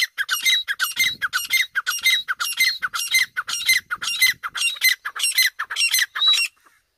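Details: Francolin (silver teetar) gives harsh, squawking notes in a fast series, about two a second, with strident overtones and no other clear sounds.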